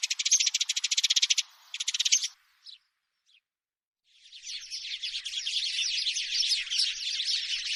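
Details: House sparrow giving a fast, even rattle of clipped notes, a second shorter rattle, a few stray chirps and near silence, then a dense, continuous twittering of many overlapping chirps.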